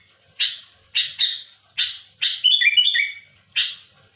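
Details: Loud, active sooty-headed bulbul pressing rivals: spaced harsh rasping bursts, then a bubbly run of clear whistled notes stepping down, followed by another rough burst.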